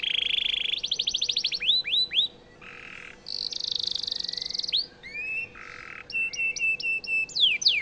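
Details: Canary song meant as training material for White-rumped shamas: varied phrases of rapid rattling trills, buzzy held tones, swooping slurred whistles and short repeated chips, with brief pauses between sections.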